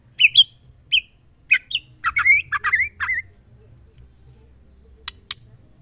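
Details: Female white-rumped shama calling to provoke males into singing: a quick run of short, harsh chirps and squawky notes with some twisting, slurred elements, bunched over about two seconds. Two sharp clicks follow in an otherwise quiet background.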